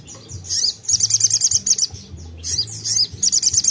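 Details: Energetic crimson sunbird song meant to stimulate other birds into singing: high, sharp chirps strung into quick trilled bursts with short pauses between them, backed by a low droning hum.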